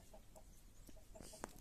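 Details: Brooding hen with chicks makes short, soft, tonal clucks repeated about every quarter second, broken by a sharp click near the end.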